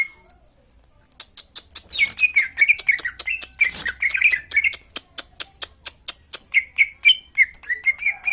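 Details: Greater green leafbird from Lombok, kept to provoke other leafbirds to sing. After a second of quiet come rapid sharp clicking ticks, then rich warbled, slurred phrases woven through the clicks. Low rumbling background.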